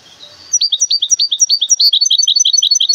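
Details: Goldfinch hybrid in a cage from Temara, Morocco, launching into steady, loud, downward-slurred chirps that quicken into a tighter, bright twittering trill.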